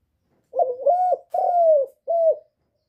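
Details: Cooing spotted dove, a recording for stimulating birds. One phrase of four soft, hollow notes: two joined rising coos, a drawn-out downslurred coo, then a brief closing note. The background is quiet.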